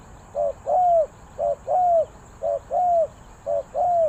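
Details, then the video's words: Spotted dove cooing, Ninh Thuận, song styled 3 kuk hoi: paired coos, a short low note then a longer arched one, repeated about once a second in a steady rhythm over quiet background. "เสียงนกเขาใหญ่ 3กุกห้อย เรียกลงกุก2กุก,Cu gáy Ninh Thuận"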